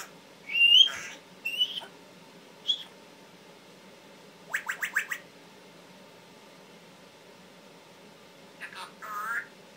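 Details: Captive male Timneh African grey parrot at home utters harsh squawks and whistled calls, then a quick run of four clipped notes, with a final burst of speech-like sound after a pause.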